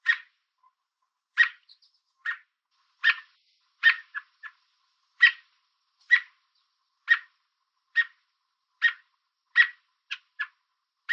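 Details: American robin perched on a fence in Southern Ontario, Canada, calling to warn an intruder away: a long series of sharp, clipped chirps, some paired with quick softer notes, spaced roughly a second apart against a quiet background.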